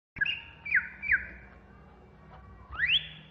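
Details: Greater green leafbird of the Banyuwangi type, agitated, singing in the ngentrok style: a few loud, short whistled notes with quick downward slurs, a pause, then a bright rising whistle.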